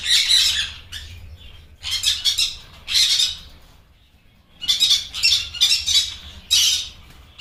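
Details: Blue yellow sided conure squawks: grating, rasping bursts in clusters separated by quieter gaps of up to a second, loud and shrill throughout.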